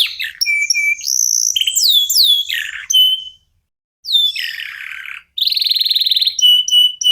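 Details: Local canary in full song, used to prompt other songbirds into singing: loud, fast, varied phrases of sweeping whistles, descending slurs, buzzy trills and rapid rattling rolls, with a brief pause midway.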